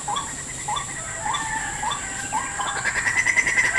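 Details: White-breasted waterhen at a trap site in a salak plantation, answering a lure: quick repeated upward-curving notes, followed by denser overlapping chatter near the end, over a constant high insect drone.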